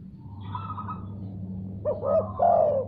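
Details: Spotted dove responding to a heard sound; a soft tonal murmur leads into one phrase near the end of two rising notes and a longer falling coo, over a low background hum.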